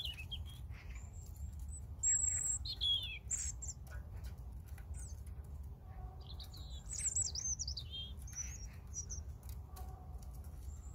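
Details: European robin singing: thin, high, sweet phrases with sliding whistles and quick trills, delivered in short bursts separated by pauses, over a steady low rumble of background noise.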